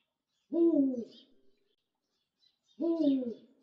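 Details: A captive Eurasian eagle-owl, a rescued bird at Kushiro Zoo, Japan, gives two deep, hoarse hoots about two seconds apart, each sliding slightly downward, with silence around them.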